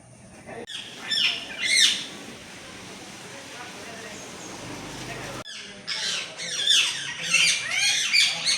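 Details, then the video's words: Green talking parrot kept at a home in Mangalore, 17 August 2025, cool weather: harsh high squawks, a short burst, then a quiet stretch of background hiss, then a rapid series of scratchy squawks and chatter. "Talking Parrot Natural Sounds"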